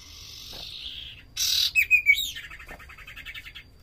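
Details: Common iora (Aegithina tiphia), song.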